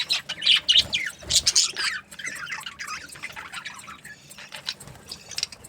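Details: Australian budgies chirping: a few loud, squeaky bursts open the recording, then softer, scattered twitters and faint chatter follow.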